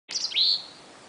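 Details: Futuristic-sounding songbird with a laser-beam-like voice: one short, high, piercing note that dips and then rises into a flat whistle, lasting about half a second.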